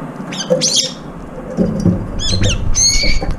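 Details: Several brown-eared bulbuls feeding and competing for food; short, harsh, squawking notes come in irregular bursts, ending in a brief shrill screech, over thumps and rustling.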